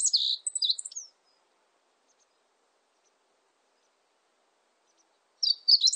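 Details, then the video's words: Meadow bunting song, a slice from the National Institute of Biological Resources' 2020 collection: a high, rapid jumble of chirps and trills ending near one second, silence, then a new phrase starting at the close. "멧새, 여러번 듣기, 곤충소리, 새소리"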